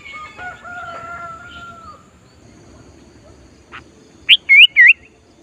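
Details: Sooty-headed bulbul singing to lure wild bulbuls during trapping practice; faint drawn-out tones early on, then three loud, quick, looping whistled notes near the end.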